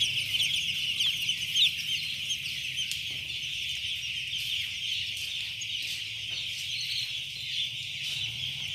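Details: Many first-day chicks peeping together at a poultry farm in Chimmad, Bagalkot district: an unbroken shrill wash of high cheeps over a low steady hum.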